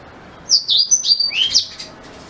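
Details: Black-throated canary singing, a recording meant for tutoring white-rumped shamas: one quick, high phrase of chirping, downward-slurred notes and a lower rising sweep, loud and clean against light background noise.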